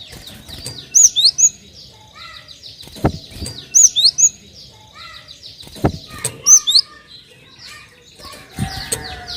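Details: Cinereous tit calls used to prompt other birds to sing: repeated groups of three high, slurred whistles roughly every two to three seconds, with occasional knocks and a faint chirping background.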